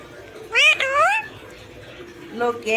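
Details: A talking pet parrot imitating human voices gives one rising, wavering speech-like phrase, then a quiet gap and a second short nasal utterance at the end.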